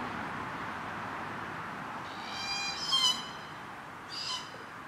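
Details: Glossy black cockatoo at a feeding ground at Cootharaba, where the birds come between June and September to feed on Casuarinas at 4:30pm daily, gives two soft, wheezy, harmonic calls about a second and a half apart over steady background hiss.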